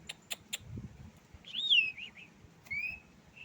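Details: A tame Asian pied starling gives three sharp clicks, then a bright, wavering whistled phrase, a short pause and a second clear, slightly rising whistle, with faint low rumbling behind.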